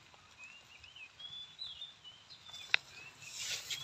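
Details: A pair of Oriental magpie-robins, male and female both calling, give thin, wavering whistles and scratchy alarm calls, growing noisier as a person approaches their nest, with a sharp click and a brief rustling burst.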